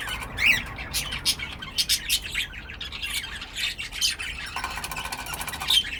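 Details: A pet cockatiel gives scratchy, harsh squawks in a series of short bursts, loud and broadband, with a couple of thin whistled notes at the start and end.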